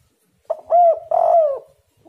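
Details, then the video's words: A spotted dove's cooing phrase, used to lure other doves into answering: a short note followed by two drawn-out, gently falling hollow coos, clear against silence. "derkuku super gacor bikin lawan langsung nyaut"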